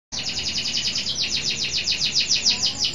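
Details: Local canary in full song, meant to get other canaries singing. Its rapid run of downward-sweeping notes repeats about six times a second, evenly spaced, with a steady background hiss.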